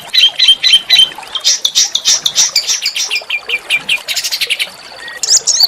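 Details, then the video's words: Small songbird delivering a harsh, rough song used as a master to provoke oriental magpie-robins and white-rumped shamas: dense scratchy chatter of rapid high notes, about four per second, ending in sharper whistled notes. "masteran burung kecil agar murai batu gacor"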